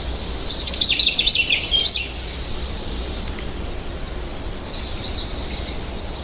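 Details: American goldfinch song: rapid high chattering twitters for about two seconds, followed by a faint softer trill near the end against constant background hiss.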